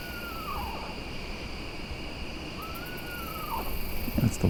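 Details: Eastern Screech-Owl answering after whistled calls at night in Vine Mount Swamp; two descending whinnies, each a steady tone sliding down into a quavering trill, faint over a constant insect chorus of katydids and crickets.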